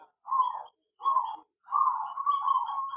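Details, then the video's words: Zebra dove housed in an aviary giving two short coos followed by a drawn-out, trilling run of rapid cooing notes held at an even mid pitch. "perkutut di aviary lebih cepat gacor dan bunyi"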